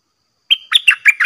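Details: Caged red-whiskered bulbul used as a decoy, singing nonstop to challenge bold wild bulbuls after a long time away from the forest; a short whistled note followed by four rapid, bubbly, warbled phrases, clean and loud.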